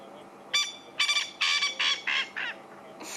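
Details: A male francolin at sunset in Sabi Sand, South Africa, gives a harsh, grating series of loud rasping notes, his sunset chorus claiming territory to other males and advertising to females; another male answers further away.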